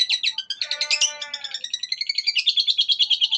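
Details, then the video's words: Long-tailed shrike song with mimicry, trained as master material: a quick rattle of high notes, a tonal mewing sweep with a rich overtone stack, then a continuous fast chattering trill. "Masteran Burung Cendet Isian Gereja Pethir Sambung Armagendon dan Kuntilanak"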